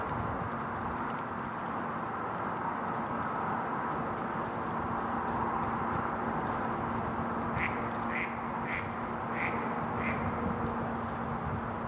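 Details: Adult mallards, male and female, recorded at Domaine Maizerets on 27 March 2018; after a long stretch of background hum, a series of five evenly spaced quacks sounds near the end.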